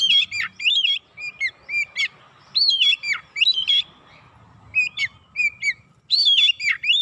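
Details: Oriental magpie-robin singing as a lure to provoke other birds: a continuous flow of loud, varied whistled notes, some sharp and swooping, others short and chirpy, with brief pauses.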